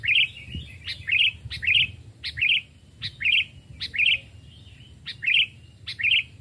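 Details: Two caged sooty-headed bulbuls aged two and three years, hand-raised, tested for voice in the forest as lure birds; bright warbled phrases repeat roughly every second, each a quick sharp note followed by a rich bubbling flourish.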